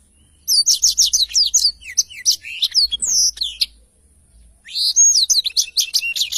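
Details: Black-throated canary in full song as a tutor recording for songbirds: quick rhythmic run of sharp high chirps and swooping whistles, a brief near-silent gap, then another lively burst of trilled notes.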